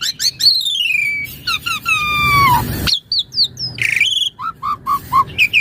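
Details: Vigorous song of an Asian pied starling, used to train and provoke other starlings: long downward-sliding whistles, a harsh burst, then a string of short, evenly spaced low whistled notes and high chirps.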